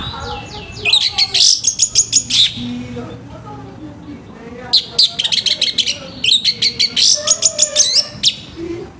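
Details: Morning song of an orange-headed thrush, a rough-voiced singer used to make young thrushes start singing: three dense bursts of fast, scratchy, high chattering notes separated by short gaps, with faint low sounds between.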